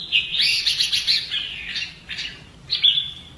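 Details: Red-whiskered bulbul in Vietnamese song training for fighting-style singing: a rapid warbled, trilling run of fluttering notes for over a second, then two short clear whistled notes.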